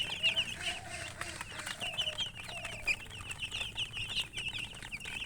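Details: High, quick chirps from a group of colored chickens run throughout, with a few lower, drawn-out tonal notes early on and a quiet rumbling background.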